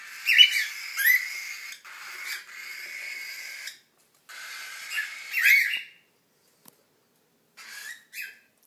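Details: Cockatiel chicks aged 6–7 weeks, hungry at breakfast time, give raspy, buzzy begging calls in repeated bursts, asking to be fed.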